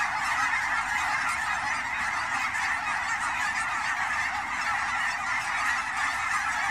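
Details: Migrating Canada geese in autumn at a wildlife-area pond outside Portland, Oregon; countless honks blend into a thick, continuous clamour with no pauses.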